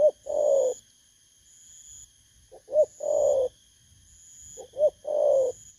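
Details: Spotted dove newly taken from the wild, Vietnam, August 2024, giving three cooing phrases about two seconds apart. Each has short lead-in notes and a long, low, descending coo. A faint intermittent high whine is audible.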